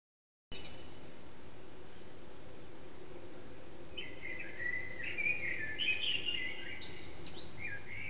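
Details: Eurasian blackbird singing in early morning around 4:30am in an echoing backyard, bird unseen, recorded on an HTC Desire phone; after a quiet start, fluted warbling phrases around mid-pitch appear, ending in high squeaky twitters, over steady low background hiss.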